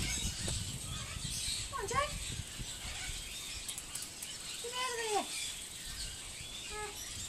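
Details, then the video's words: Talking corella, Silverton in New South Wales, 25/6/10: three separate speech-like utterances, each a stacked, downward-curving harmonic phrase, the middle one longest, spaced a few seconds apart over steady outdoor hiss. "Talking Corella"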